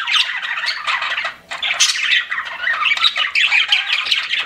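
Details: Pet budgerigars warble and squawk in lively overlapping chatter, a short pause around the middle before the chirping continues.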